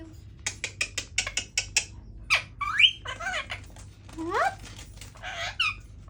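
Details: Pet Indian ringneck parakeet trying to talk: a run of about ten rapid clicks, then rising whistled squeaks and wavering speech-like chatter in a quiet room.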